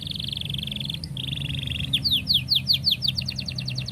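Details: Canary tutor song for young birds: two long buzzy rolled trills, then a quick run of about a dozen sharp repeated chirps, over low background hum.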